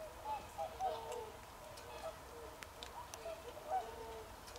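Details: Several swans on 24 December 2020 giving short, bugling honks in loose bursts, some doubled, spaced about a second apart, with a quiet hiss and scattered ticks behind them.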